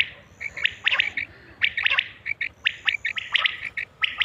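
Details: Batair call for quail hunting, from a Mianwali recording: crisp repeated chirps in tight clusters, busy and almost continuous, with a faint high steady tone beneath.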